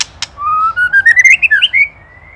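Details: Indonesian white-rumped shama used as a training master for songbirds: two sharp clicks, then a smooth whistle climbing steadily into a quick rising ladder of bright, slurred notes that fades out.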